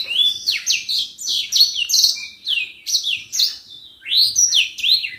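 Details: Common iora in full lively song for song-tutoring: rapid high whistles and chirps, many falling sweeps and a few rising slurs, delivered in energetic bursts with brief pauses, a short break near four seconds.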